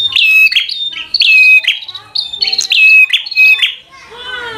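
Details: Bar-winged prinia in 'fighter' singing style, aimed at rousing rival prinias: almost continuous runs of loud, sharp whistles and clicks, fading into a softer, lower warbling tail in the last second.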